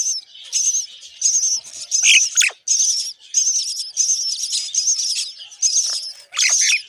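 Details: Mother myna feeding termites to hungry young; the chicks answer with shrill, scratchy begging bursts repeated roughly every second, broken by a few sharp, sliding squeaks.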